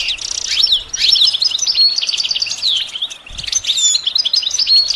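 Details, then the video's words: Goldfinch singing, used to train songbirds: an unbroken stream of fast high twitters and downslurred whistles, lively and jangling throughout the five seconds. "integrated stimulation suitable for all songbirds for goldfinches"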